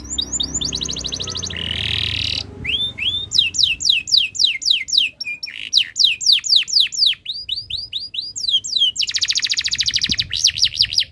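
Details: In breeding condition, a canary delivers tutor song to set other birds singing; a quick trill and low buzzy roll lead into a long string of downslurred whistles, closing with a fast high trill.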